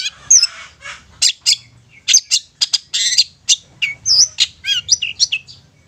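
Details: Long-tailed shrike lure song meant to provoke silent, stubborn young birds into song and excitement: a busy, uneven jumble of harsh squawks, rasping chatter and twisting whistled notes with almost no pause.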